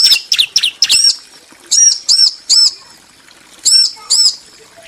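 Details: Bar-winged prinia pair, male and female, calling back and forth: a few quick sharp chirps, then spaced arched high notes in pairs separated by short silences.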